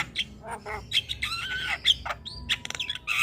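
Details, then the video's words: Noisy Javan myna song, others said to answer: short squawks, a drawn-out grating screech with a falling whistled overtone, then quick chattering clicks and a rising whistle. "Jalak Kebo gacor Tak Kenal Waktu Bikin Ribut Burung Lain Ikut Bunyi"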